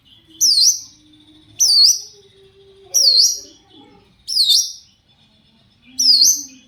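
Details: Shrike call used to make other shrikes reply: five loud swooping high notes, each dipping then rising, spaced roughly every 1.3 seconds.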